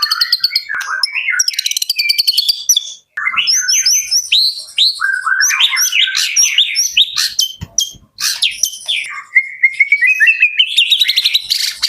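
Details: White-rumped shama, Jakarta, delivering a long, densely varied song: rapid high trills, swooping whistles and sharp clicking notes, with brief gaps, ending in a steadily rising chain of repeated notes.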